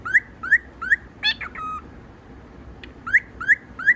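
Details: Pet cockatiel showing off to impress: loud, bright rising whistles repeated about every third of a second, broken by a squawky burst and a flat whistle, then three more rising whistles after a pause.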